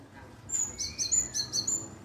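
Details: Java sparrow call used as a lure to draw a reply: a quick run of about six high, thin chirps over roughly one and a half seconds, with a faint low hum underneath.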